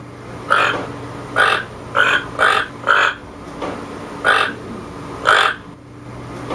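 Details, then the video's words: Series of gruff toucan croaks, four coming quickly together and then two more spaced out, harsh and broadband, over a quiet background hum. "Toucan sound"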